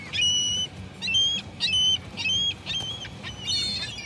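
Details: Seagull calls, each a clear, ringing note lasting a fraction of a second, repeated about 100 times a minute at an uneven pace against quiet background hiss.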